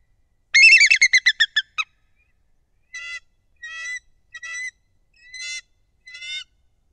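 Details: A bald eagle at the nest above Kincaid Lake, Louisiana, in late December 2023 opens with a rapid stuttering run of high harmonic notes, then gives five separate thinner piping calls spaced under a second apart.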